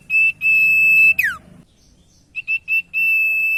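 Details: ['Common iora song used as a lure to make quiet ioras sing: a long level whistle that ends in a steep falling slur, a pause, then three short whistles and another long held whistle, with a low hum underneath.']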